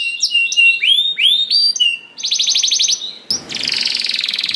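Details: Canary song meant to get other canaries singing: curved whistled notes give way to a rapid stuttering trill, then a dense buzzy rattling roll at the end.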